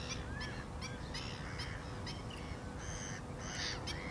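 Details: Black-winged stilt calling in quick, repeated nasal yelps, some clipped and some slurred downward, set against constant low-pitched background rumble.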